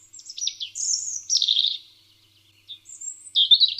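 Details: European robin song played back, described as a very common bird heard all day: high thin warbled phrases, wavering and tumbling, with short pauses between phrases, recorded clean without other sounds.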